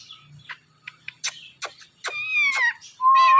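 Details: Indian ringneck parakeet talking at night, scattered clicks and short syllables building into longer harmonic speech-like phrases and a rising whistled note at the end.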